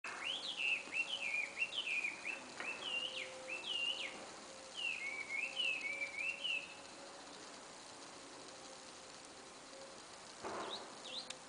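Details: A bird singing at a tennis court at the start of spring: short phrases of quick, rising and falling whistled notes, repeated several times, then a pause with a faint steady hum and a brief bump.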